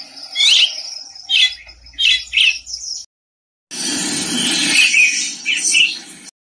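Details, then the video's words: Violet-backed starling giving short, squeaky chirps and twittering notes in quick bursts, with a brief break in sound and steady background hiss. "violet backed starling noises"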